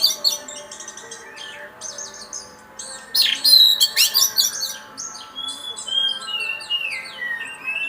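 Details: Champion oriental magpie-robin from a song contest, producing a long stream of high, rapid chattering and whistled notes with a loud buzzy outburst midway and sweeping slurred phrases later.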